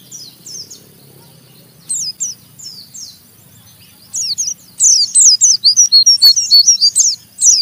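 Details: Caged Oriental white-eye in rough ngeriwik chatter to prompt other white-eyes to sing; a few scattered high slurred notes, then a loud rapid burst of sharp, repeated downward chirps in the second half.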